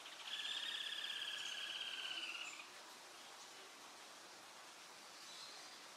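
A Red-and-white crake gives one rapid, high trill lasting about two seconds, falling slightly in pitch, before fading into quiet background hiss.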